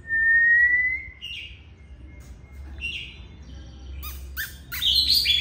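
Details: Caged oriental magpie-robin at home: one long clear rising whistle, a few soft high notes, then sharp clicks and a loud high squeaky phrase.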